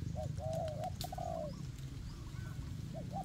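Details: Spotted dove decoy in a forest calling to lure wild doves for trapping: a quieter run of short coos and one long falling coo, then faint distant coos, over steady low rumble and occasional clicks.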